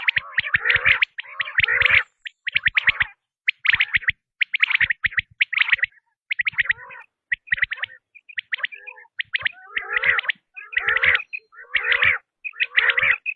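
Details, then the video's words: Batair, or quail, giving a tested call: a long run of rapid, raspy chirp clusters, each lasting under a second, repeated about once a second with short pauses, and no background noise. "بٹیر کی آزمائی ہوئی آواز ۔ | Quail Tested Sound | Batair ki Awaz"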